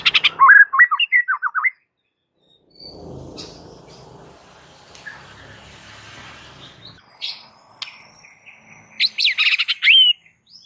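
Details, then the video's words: Caged white-rumped shama singing an aggressive fighting song meant as a training master: a quick run of looping warbled notes, a long stretch of low background rumble and faint notes, then another loud swooping, buzzy burst. "MASTERAN Murai Batu GACOR NGAMUK"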